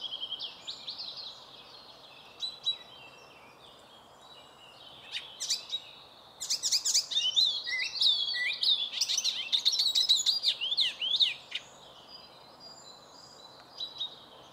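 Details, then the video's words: Icterine warbler in song in a birch grove, delivering scattered high chirps and then a loud dense run of jumbled whistles, squeaks and rasping clicks for several seconds before trailing off into occasional notes. "зеленая пересмешка песня"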